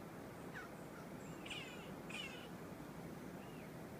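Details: Magellanic woodpecker in Queulat National Park, Chile, February 2014, giving two harsh, nasal squawks about half a second apart, with a fainter note before and after, over steady wind or stream noise.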